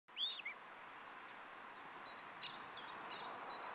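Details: Osprey (Pandion haliaetus) at a nest during a meal, 14 July 2012, gives a quick pair of high, whistled chirps, then a few fainter chirps, over steady wind-like hiss.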